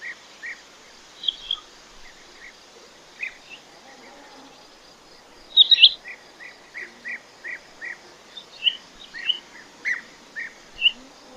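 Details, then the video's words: Quail uttering short, evenly pitched chirps repeated about once a second, with a brief louder twittering burst midway and a faint hiss throughout. "Звуки перепілки❇️Quail sounds"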